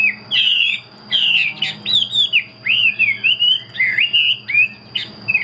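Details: Loud, varied whistling from a caged Chinese hwamei: rich slurred phrases, some rising and some dropping, delivered in rapid bursts of about one per second, with a thin steady tone behind.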